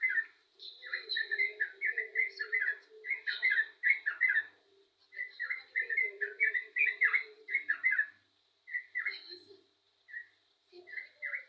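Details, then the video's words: Long bout of yellow-vented bulbul song: dense streams of gurgling whistled notes in rolling phrases, broken by a few pauses and ending in scattered single notes; faint hum behind. "burung trucukan gacor jos"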